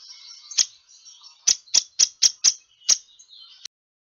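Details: A Downy woodpecker on 20 February 2016 gives sharp, high, clicking pik notes, about seven in under four seconds at an uneven pace, over a faint high background hiss.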